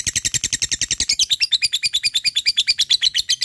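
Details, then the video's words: Ngekek chattering from a fighter lovebird challenging an opponent: steady, fast, even pulses of high buzzy sound, dropping slightly in pitch partway through. "Cik cikk weeeeerrr...lovebird fighter gacor ngekek memanggil l4w4n"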